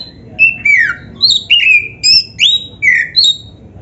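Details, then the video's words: Oriental magpie-robin of the black-breasted type singing, a recording intended to make other magpie-robins sing: ringing whistled phrases, several slurred downward, delivered in quick succession, some rising sharply, against a soft low hum. "KICAUAN BURUNG KACER TERBAIK"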